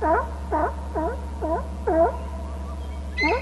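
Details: Two eagles calling at their nest territory on Hornby Island; a run of about five harsh, chattering yelps spaced roughly every half second, with another higher call at the end, over a steady low hum.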